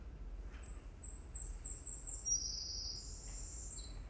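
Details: A recorded Savannah Sparrow song played in a lecture as an example of individual song signatures: a stuttering start of five or six thin, very high ticks, then a sizzling buzz and a final lower note, over a low room hum.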